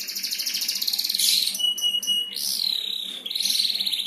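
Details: Prize canary singing as bait for other canaries: a quick high roll, then clipped pure whistled tones, a sweeping falling glide, and a return to rapid bright trilling.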